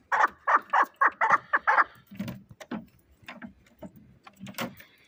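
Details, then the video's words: Chukar partridge kept as a fighting bird in Shahritus: a quick run of seven loud, evenly spaced chuck notes, then softer, lower irregular clucks and scattered fainter notes. "Кабки Шаҳритус ҷангӣ"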